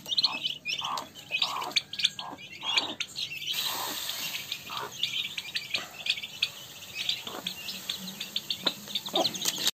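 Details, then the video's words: A busy, overlapping chorus from a group of turkey chicks: high, thin peeps and short chirps, with a few lower, softer notes mixed in. "அருமையான வான்கோழிக்குஞ்சிகள்!"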